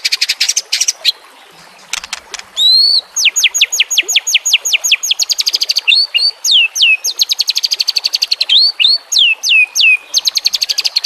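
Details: White-rumped shama (murai batu) from a training recording for caged birds with trickling water: long runs of rapid repeated downslurred whistles and crisp ticking notes, sustained for over ten seconds with hardly a break.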